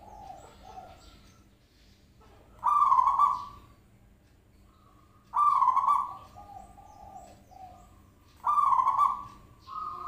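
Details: Zebra dove call played to draw a reply: three strong, trilled coos spaced about three seconds apart, separated by quieter level humming notes.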